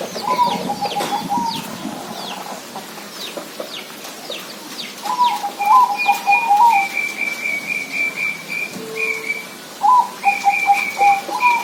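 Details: Zebra dove singing three bursts of quick, rolling coo notes, each phrase a stuttering run of short clipped tones, with a fainter higher-pitched trilling series and sharp chirps from other birds around it.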